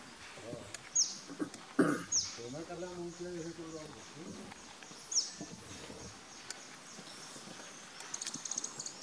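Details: A male crimson-backed sunbird (Leptocoma minima) at Ganeshgudi, Karnataka, India, in January 2016 gives three thin, very high, downslurred chips spaced a second or more apart, over a low voice and soft outdoor background.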